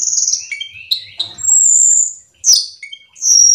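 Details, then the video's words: Black-winged Myna (cucak keling) singing to entice others of its kind: high sharp whistles, a long steady piercing whistled note, then brief chirps and another high whistle. "pancingan cucak Keling gacor teler Full isian"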